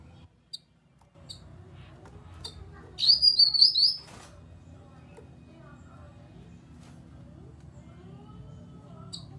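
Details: Grey-cheeked bulbul call for stimulating other birds to sing, heard as a single loud phrase of about five quick, slurred high whistles, with scattered faint ticks and soft chirps around it.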